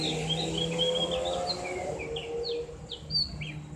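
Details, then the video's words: Javan grey-throated white-eye, a tutor recording for chatter (ngriwik) training with a loud, open voice: high thin whistled notes and short descending slurs, irregular, with a low steady hum underneath. "terapi ngriwik buat burung opior jawa/cak gentong | suara ngeplong"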